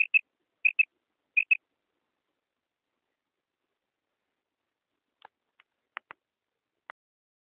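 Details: Female quail giving a clear call: three quick paired high notes in the first second and a half, then silence broken by a few faint, scattered clicks.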